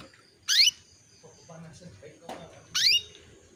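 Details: A female canary calls the male to stimulate breeding, heard as a lure recording: two strong, short upward-swept chirps a little over two seconds apart, with a soft click and murmur between.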